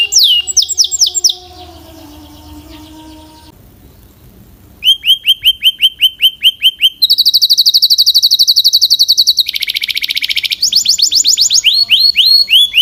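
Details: Belgian canary song with a brief quiet pause in the middle, then loud tours resume: crisp repeated falling chips, a dense high rolling trill, a lower buzzy roll, and rapid chattering notes.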